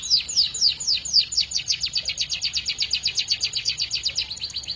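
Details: Melodious canary song heard as a fast, high trill of evenly repeated sharp notes, about four per second, with no other sounds.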